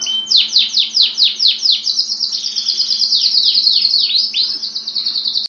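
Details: Canary song: a fast run of repeated high downward-sweeping notes, about three per second, then a long steady trill, another series of sweeps and a final sustained high note, with a faint background hum.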